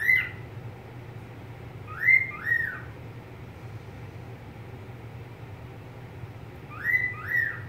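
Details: Pet budgerigar giving paired whistles: a double arched note at the start, another pair about two seconds later, and a third pair near the end, over a low steady hum.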